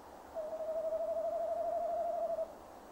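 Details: Nest box camera recording of a male tawny owl calling on a December evening, waiting for the female. A two-second hoot, steady in pitch and pulsing with a fast quaver, between soft background hiss.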